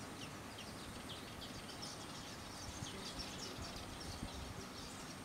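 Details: Eastern golden weaver on Zanzibar, Tanzania, giving rapid scratchy chips and buzzy twitters in quick succession, a continuous colony-like chatter over low rural background noise.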